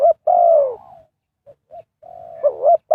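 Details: Spotted dove calling wild birds for trapping: a long, loud coo falling in pitch, two tiny soft notes, then a level coo breaking into a throaty doubled note.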